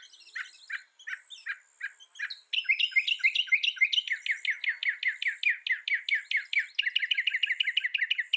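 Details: Northern mockingbird song shifting from spaced, bright chirped notes to a fast, continuous chattering run of rapidly repeated syllables that keeps going to the end.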